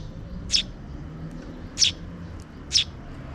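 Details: Sparrow chicks, two, being fed by a parent near dusk; three evenly spaced high chirps about a second apart over faint low hum.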